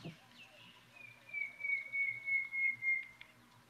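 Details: Montezuma Quail, Borderlands Wildlife Preserve near Patagonia, Arizona, gives a long, quavering whistle sliding slowly downward over about three seconds, with faint hiss; presented as a male-female interaction, a louder tooting female call then the male's normal call.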